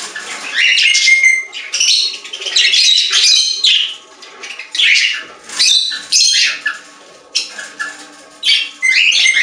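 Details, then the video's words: Budgerigars singing together in a pet store, near-continuous chattering warble with squeaky whistles and harsh buzzy notes rising and falling in waves, a low hum underneath. "Budgies singing in Pet Store | Parakeet Sounds"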